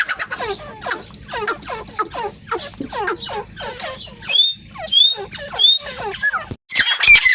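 A partridge gives a fast run of harsh, scratchy notes, about four a second, with a few thin whistled notes mixed in over a low steady hum.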